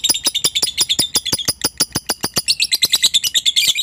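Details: Continuous ngekek chatter of a lovebird, aimed at provoking a rival: a dense stream of shrill, rattling pulses repeated several times a second, growing slightly busier and harsher toward the end.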